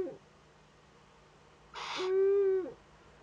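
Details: Eurasian eagle-owl nest webcam, northern Rhineland-Palatinate, Germany, 15 May 2013, during an owlet's first contact with an adult. A loud call starts with a hoarse, breathy burst and settles into a steady tone, ending with a falling slur.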